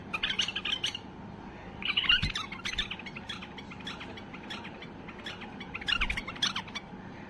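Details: Excited white-eared bulbul singing to prompt other bulbuls to sing, delivering busy overlapping chirps and whistled notes in three loud bursts over a low background hum.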